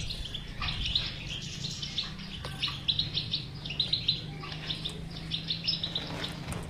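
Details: Batbata song of a European goldfinch for stimulating a silent bird to sing: lively, jangling twitter with bursts of emphatic chips in the middle and a low steady hum throughout.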